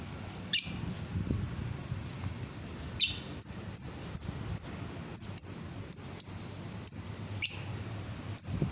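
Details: Lovebird voice intended to start other lovebirds singing: a string of sharp, high, slightly falling chirps, repeated roughly every half second after a lone opening note.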